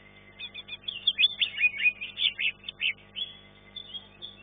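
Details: A greater green leafbird, placed third in a songbird contest class, sings a fast, varied run of bright chirps, trills and slurred whistles for about four seconds, over a faint steady electrical hum.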